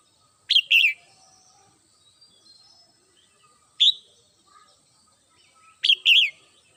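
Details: Red-whiskered bulbul kept at home singing in the morning: three short, bright, warbled phrases of two or three quick high notes each, spaced a few seconds apart, with quiet between.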